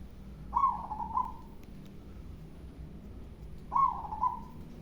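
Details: Local zebra dove with a big voice, cooing: two short phrases about three seconds apart, each a bright stuttering opening note running into a rolling, slightly falling coo, over a low background rumble.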